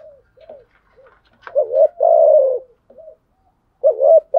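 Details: Spotted dove giving a 'gù đấu' fighting coo to challenge rivals: a few soft short notes, then a low, two-part coo ending in a long, loud, slightly falling note, followed by another clipped double coo.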